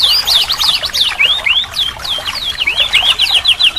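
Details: White-rumped shama training recording for a silent bird, with rich filler phrases: a dense, tumbling series of sharp up-and-down slurred notes, delivered rapidly and almost without pause.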